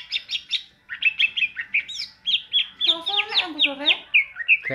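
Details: Greater green leafbird singing in the ngentrok style: a lively, varied run of short whistled and chirped notes, with a dense burst of down-slurred notes midway and a low thud at the end.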